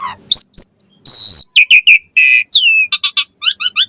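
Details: Asian pied starling song used as a lure to make other starlings answer and sing: a loud, fast string of varied whistled notes, some rising and some falling, with harsher buzzy bursts and quick chattering phrases. No background sounds.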